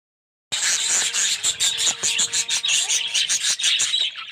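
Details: Colony of yellow, red-eyed budgerigars in an aviary: dense, unbroken high chattering and warbling from many birds at once, with rapid chirps pulsing every fraction of a second after a brief silent start.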